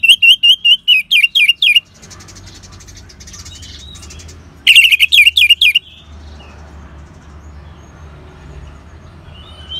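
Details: Orange-headed thrush from northern Bali, sung to trigger caged birds to sing: a rapid string of loud high chirped notes, a quieter twittering stretch, then another loud chirped burst before near silence.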